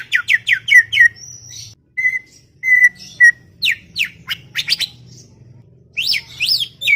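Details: Chattering greater green leafbird in a garden setting, mixing rapid sharp downslurred notes, steady level whistles and short bursts of varied chirps, with a faint low hum underneath.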